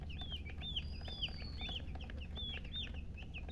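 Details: Baby chicken chicks peeping: a steady series of high, short chirps, each arching down, repeated roughly every half second, with a faint low hum underneath.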